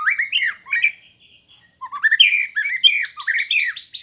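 White-rumped shama in full song: rich, fast, varied whistled phrases mixed with harsh squawky notes, a brief pause, then a louder burst of rising and falling whistles.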